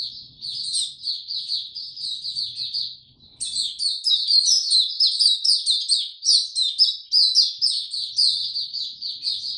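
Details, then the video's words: In warm, very humid weather on 26 March 2022 a white-eye twitters softly and rapidly, pauses briefly near three seconds, then bursts into a louder, richer, high-pitched warble of slurred chirps. "Mata Puteh Hercules buka sing warm n very humid weather"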